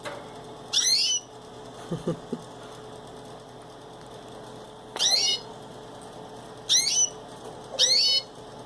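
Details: A canary in its cage utters four bright, rising chirp bursts at uneven gaps of one to four seconds, with a few soft clicks and a constant low background hum.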